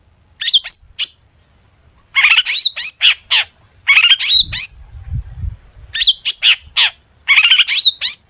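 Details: Long-tailed shrike singing a song loaded with copied sounds, used to make other shrikes respond; clusters of four to six harsh, scratchy chirps with whistled tails repeat every one and a half to two seconds, with a brief low thump between.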